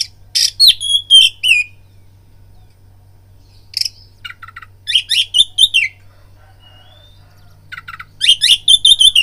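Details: Oriental magpie-robin singing to provoke fighting: sweet high whistles mixed with harsh rasping notes and quick chirps, delivered in separated bursts over a low background hum.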